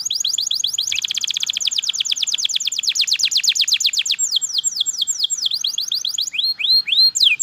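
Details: Canary singing a very fast, dense trill of repeated notes for several seconds, then switching to slower, lower down-slurred phrases and a few rising whistles.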